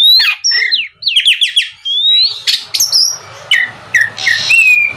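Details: Oriental magpie-robin song used as a lure to prompt other magpie-robins to sing: varied loud whistles, rising and falling sweeps, sharp chirps and rasping bursts in rapid succession, with faint low background hum.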